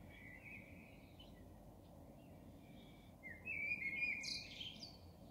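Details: A blackbird sings at 03:40: a quiet fluted phrase first, then after a pause a louder, clear whistled warble that breaks into a high, strained twittering flourish, over low steady noise.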